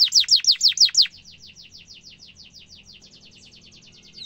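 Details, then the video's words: Canary song used to teach young canaries: five loud, high chirps in quick succession in the first second, then a softer, steady rapid trill continuing to the end. "Kenari gacor ngerol tajam suara kesukaan kenari muda gampang ditiru efektif untuk masteran kenari"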